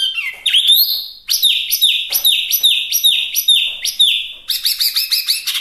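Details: Chinese hwamei, a small-type bird, in loud song: clear whistled notes sliding down and leveling off, repeated about every half second, ending in a rapid series of short, bright, ringing phrases.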